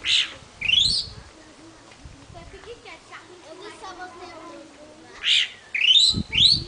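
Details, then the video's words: A wild chalk-browed mockingbird (Mimus saturninus) sings on a hill in the Seridó sertão, Florânia, Rio Grande do Norte, Brazil: loud bursts of harsh notes and quick rising whistled sweeps at the start and end, with softer chattering phrases between. "O canto do sabiá branco, papa sebo (Mimus saturninus)"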